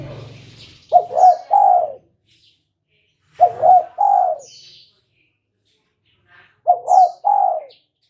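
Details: Repeated lure call of a spotted dove, played to draw answering calls from other birds. Three even phrases, each made of two clipped coos and a longer rounded coo, sound about three seconds apart, with brief high chirps.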